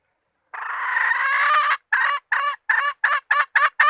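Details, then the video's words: Hen giving a call used as bait: a long, swelling nasal note lasting over a second, breaking into about seven short, rasping clucks that come roughly four per second. "latest hen standard bait"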